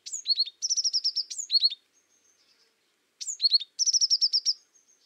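An azure tit sings bright, high phrases: a few downslurred notes, then a fast trill of about ten even notes, given twice. The background is quiet.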